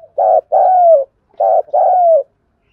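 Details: Spotted dove, a decoy bird giving morning calls: two loud cooing phrases, each a short hollow note followed by a longer, gently falling coo, in a quiet setting.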